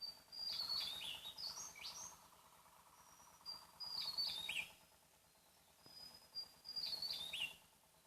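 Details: Javan tesia singing in the wild on Java, its loud voice carrying from a distance. Three bursts repeat, each a long thin high whistle followed by a rapid, slurred cascade of sliding notes. Steady insect-like ticking throughout.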